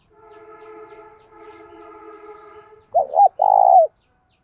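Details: A steady, buzzy, harmonic tone runs for nearly three seconds, then a spotted dove gives a loud coo phrase: a wavering double note followed by a long, level, falling coo. Recording used by keepers to stimulate doves to call.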